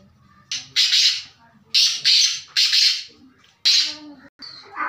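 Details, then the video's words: Black francolin, a kept bird, calling in loud harsh grating bursts, each about half a second long, given in a broken series of four with short pauses between. "Black Francolin Voice | Kala Teetar Ki Awaz 2021 کالا تیتر کی آواز"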